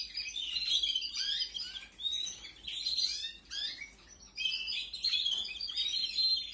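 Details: Canary chicks calling during feeding, 2021: repeated clusters of high, rasping chirps and short descending notes, in four main bursts with brief gaps between them.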